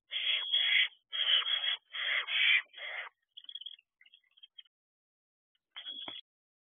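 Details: Young owls at an owl box at dawn, late June 2023, fledged siblings still visiting; four long rasping hisses in close succession, then faint scratchy fragments and one final short hiss after a pause.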